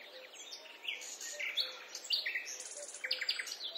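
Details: A European robin that visits a small garden and sings every morning gives a high, jumbled run of thin trills and sweet tinkling notes, shifting pitch from phrase to phrase, with faint low tones underneath.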